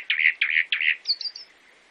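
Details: Brazilian chalk-browed mockingbird giving three rough, buzzy, loud notes at even spacing, followed by a quick trio of thin, higher chips that fade out.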